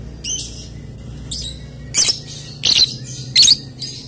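A lovebird gives about six shrill, harsh chirps over four seconds, spaced roughly every half to one second, against a quiet low hum.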